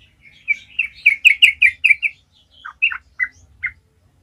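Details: Sooty-headed bulbul singing energetically, meant as a lure to spur other bulbuls: a rising string of clear repeated chirps speeding up, then a few lower, spaced, slurred notes.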